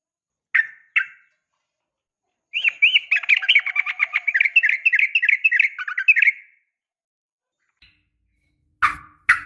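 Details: Female yellow-vented bulbul calling a male, nggaruda tarung ropel fighting style: two single chirps, then a long, fast, warbling chatter of bubbly notes running about four seconds, followed by scattered sharp chirps.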